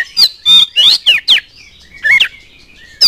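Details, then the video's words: Oriental magpie-robin song used to provoke singing in others: rapid mix of rich descending whistles and grating, chattering notes, about six phrases in three seconds. "DALAM HITUNGAN DETIK KACER ANDA LANGSUNG NYAUT NGOBRA IKUT GACOR DENGAN PANCINGAN KACER GACOR INI"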